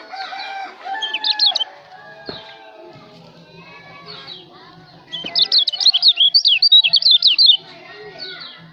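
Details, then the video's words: White-eye song from Lombok, used as tutor material for songbirds: a brief high trill early on, then a sustained two-second stretch of fast, sweeping whistled notes repeated several times a second. Softer background chirping fills the gaps. "kicau burung kecial lombok"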